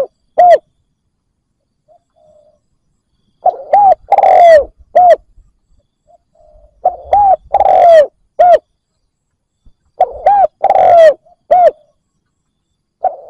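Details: Decoy spotted dove repeatedly cooing to attract wild doves, giving three full phrases roughly every three and a half seconds. Each phrase has short hollow coos, a long downslurred coo and a clipped final note, with soft murmurs between.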